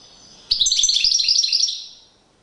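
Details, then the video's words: European goldfinch in courtship display gives one rapid, ringing twittering phrase lasting just over a second, trailing off into a fading buzz. "Magnifqiue chant une parade nuptiale تغريد رائع"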